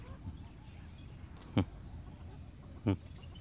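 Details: Houbara bustard, males and females gathering in a cage on a farm, giving two short, low, gruff honking calls about a second apart, over a steady low rumble of background noise.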